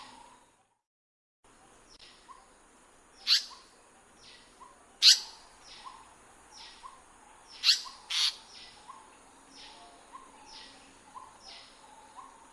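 Indian paradise flycatcher giving a few harsh, rasping notes, singly and in a quick pair, over steady rows of short high chirps and a thin insect whine.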